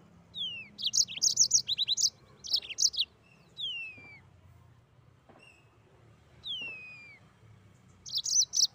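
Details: Mozambique canary singing actively: bursts of rapid, high chirpy trills repeated in quick runs, separated by clear descending whistled slurs and short pauses.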